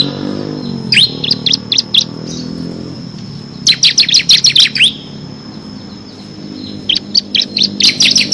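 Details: Crystal-type bar-winged prinia (ciblek kristal) in full ngebren song used as a master for training competition birds: rapid series of sharp high chips and trills in three bursts, over a steady high electronic tone and low rumbling background noise.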